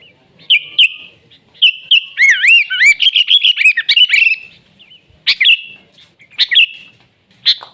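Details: Wild sooty-headed bulbul in lively 'gacor' song moving into the 'nggaruda' style: clear chirps, then a fast run of wavering, rolling whistled notes, followed by spaced bright chirps.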